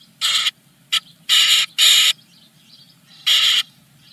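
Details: Nestling Eurasian blue tits at the first morning feeding, Germany, from a clutch of ten eggs; loud harsh begging bursts, some long and some clipped, separated by short pauses, with faint high twittering between.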